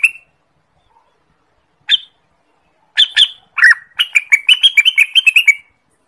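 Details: Song of the orange-spotted bulbul, used as a lure for trapping and a training master song: a few scattered sharp notes, then a fast rattling run of bright chattering notes, roughly two per second at first.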